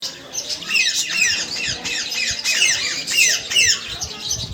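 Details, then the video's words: Several parrots chattering together: dense overlapping squawks and quick downward-sweeping chirps, high-pitched and repeated several times a second, in pulsing bursts with no other clear sounds. "listen peaceful sounds of parrots"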